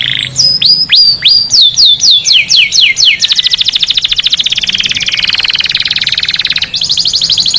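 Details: Canary song used to stir males to sing and mate and to tutor chicks: opening downward-sweeping whistles, then a long, fast, buzzy rattle-trill held at one pitch, ending in a bright high trill.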